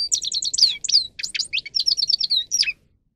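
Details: Grey-crowned goldfinch song used to train birds to sing loudly: a series of repeated ringing chips, then sweeping whistles and quick twittered phrases, closing with a falling note.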